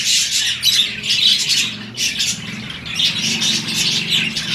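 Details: Budgerigar pairs mating in breeding season produce bursts of scratchy, high chirping warble, loud for about two seconds, a brief dip, then more chattering squeaks, over a low background rumble.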